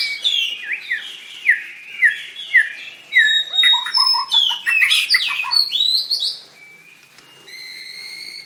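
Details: White-rumped shama performing at a bird singing contest, 7/25/16. A run of repeated descending whistled notes leads into a dense, loud jumble of chirps and trills. Steady high whistles end the passage.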